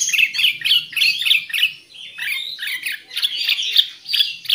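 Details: Black-crested Bulbul (kutilang emas, cucak kuning) song used as a bird-catching lure: rapid chattering run of bright, slurred notes, about three or four a second, uneven in rhythm, with faint low hum beneath.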